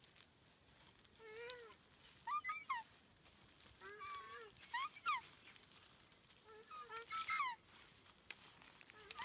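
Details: Three takahē in a predator-free open sanctuary at Tawharanui Regional Park, north of Auckland, New Zealand, give a series of short harmonic honking calls, about five bursts of paired rising-falling notes spaced roughly every one to two seconds, with faint background clicks.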